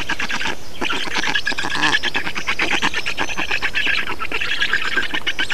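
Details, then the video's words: Feeding time for black storks in Estonia, 2 June 2019, with continuous chattering, raspy calls from several birds crowding together without pause. "Estonian Black Storks - Feeding"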